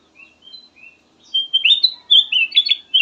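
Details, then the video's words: Black-headed bulbul song, melodious and meant as a lure to set other birds singing. Soft thin whistles give way to a fast, loud run of slurred whistled notes, rising and falling, continuing to the end. "VARIASI KICAUAN BURUNG KUTILANG EMAS SYAHDU DAN COCOK BUAT PANCINGAN"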